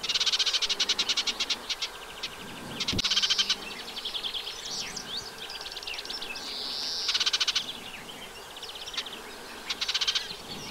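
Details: Eurasian reed warbler at its nest site, riverside wet meadow by the Vilaine, freshwater side of Arzal dam, Brittany, 15 June 2023, singing a long, jerky chatter of repeated rasping notes mixed with whistled phrases, with a brief knock.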